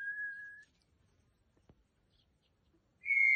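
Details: Captive greater rhea chicks in Uruguay calling to their mother, a sound new to the keeper: one long flat whistle, a pause, then a slightly higher sustained whistle, amid faint indoor rustling.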